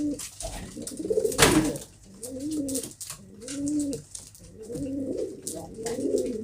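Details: Pigeon delivering long, arched, moaning coos in steady phrases of about a second each, after an early loud flap, with light scratching in the background.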